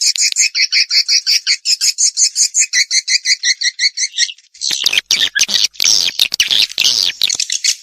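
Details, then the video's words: Swiftlet lure recording played to attract swiftlets: a steady run of high, paired chirps, close to three per second for about four seconds, then breaking into dense, scratchy, overlapping twittering chatter. "MASTERAN AMPUH BURUNG WALET MEMANGGIL CUAN"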